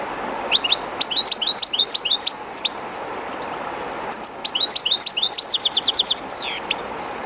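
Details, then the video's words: European goldfinch, one of a keeper's birds, singing beside the flowing water of the Jerte river, a little shy in the unfamiliar spot: two bursts of high tinkling twitters, the second ending in a fast even trill and a falling slur, over steady river rush. "JILGUERO CANTANDO EN EL RÍO/Goldfinch singing in the river/Chardonneret chantant dans la rivère"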